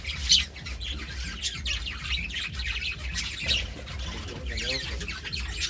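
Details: A couple of budgerigars chirp and warble in fast, scratchy bursts, one sharp squeak standing out near the start, over low background rumble.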